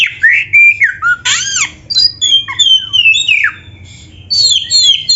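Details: Oriental magpie-robin song for teaching caged birds to sing, full of varied phrases: rich whistles rising and falling, a harsh arched note, downward slurs, then fast high squeaky notes after a brief gap.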